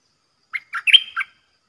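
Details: Red-whiskered bulbul decoy, praised as a champion with a three-part, rapidly flourished song for training young birds and luring wild ones; a short phrase of about five lively chirping notes, the middle one a drawn-out whistle, with nothing else audible.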